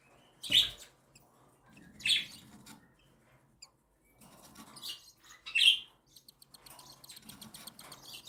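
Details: A mother cockatiel feeding her newly hatched and week-old chicks. Three sharp, loud chirps about every one and a half seconds ride over soft, fast ticking begging pulses.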